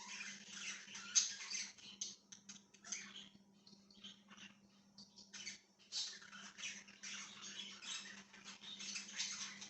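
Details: Softer budgerigar chattering dated 1/6/2023, scratchy chirps and buzzy warbles in uneven bursts with short quieter gaps, over a constant low electrical hum.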